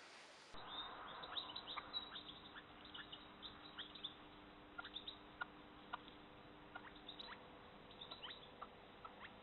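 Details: Red-legged partridges (Alectoris rufa) with chicks in Parque Natural del Estrecho, Cádiz, Spain, captured by camera trap: many short, thin, high peeping notes scattered irregularly, soft and overlapping, over steady low hum.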